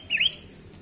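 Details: Tame sooty-headed bulbul uttering a single bright, slurred whistle that drops and then climbs sharply, short and loud against a faint low hum.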